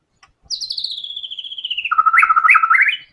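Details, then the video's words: White-rumped shama in strong song with full song material: a high, rapid buzzy series sliding steadily downward, then quick lower notes punctuated by repeated upward flourishes. "MURAI BATU GACOR‼️FULL BONGKAR SEMUA MATERI ISIAN"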